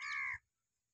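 A single harsh, croaking cattle egret call, hoarse and nasal, lasting under half a second before silence.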